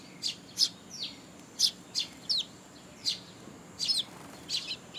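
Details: Sparrow young being fed by parents at a Tenmangu shrine, July 2, 2022; quick, high chirps, some doubled, in irregular bursts, with quieter chirping in the background.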